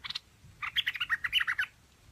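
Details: Chinese hwamei with a quick run of about a dozen bright warbled and chirped notes in one rapid phrase, preceded by a short double chirp, over quiet low background noise.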